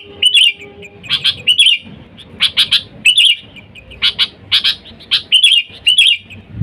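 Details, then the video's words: Calling sooty-headed bulbul used to draw in wild birds: steady stream of doubled chirps mixed with short gurgling phrases, about a dozen notes, ending with a low knock. "Suara Dasar Burung Kutilang Gacor Memanggil TEMAN LIAR, Suara Bagus untuk pikat Kutilang & pancingan"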